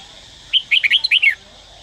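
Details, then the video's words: Red-whiskered bulbul from Daklak, Vietnam, a trained cage bird, singing one short phrase of about seven quick whistled notes that rise and fall, ending on a falling slur; faint steady background hiss. "Chào mào Daklak Hót giọng cực hay"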